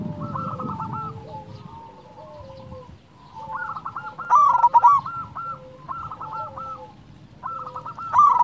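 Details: Local zebra dove, big sweet voice, used as a lure for reluctant doves: groups of rapid clipped coos separated by brief pauses, loud harsh bursts in the middle and at the end, low rumble at the start.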